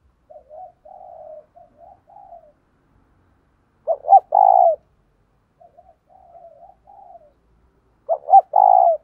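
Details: Decoy spotted dove with a 'giọng thổ' voice, cooing to lure and excite wild males. Runs of faint low crooning notes lead twice into a loud burst of quick hoots and one long falling coo.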